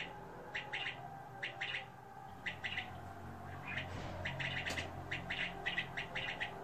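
King quail giving short, high chirps, often in quick pairs, repeated unevenly about once a second over a steady low indoor hum.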